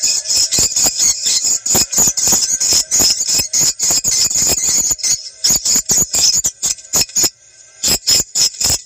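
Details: Swiftlet lure recording used to check a location in South Kalimantan, morning or evening. Sharp, high-pitched pulsed chirps, roughly four per second, thinning after seven seconds.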